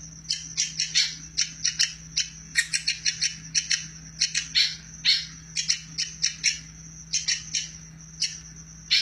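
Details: Sharp, high, clipped woodpecker notes fired in irregular bursts and doublets, some louder and squeakier, over a constant low hum; used as a training recording for lovebirds.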